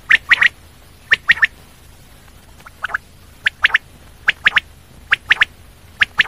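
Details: Common quail calling steadily, crisp triplets of short high notes repeated about once a second, with a faint quieter pair in the middle and little else heard.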